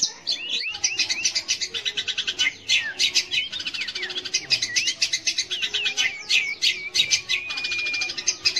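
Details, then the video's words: Long-tailed shrike song used to stimulate young or silent shrikes: a continuous stream of fast chattering notes with many interwoven short whistled slurs and a held steady whistle late in the phrase. "kicau BURUNG CENDET / PENTET untuk PANCINGAN."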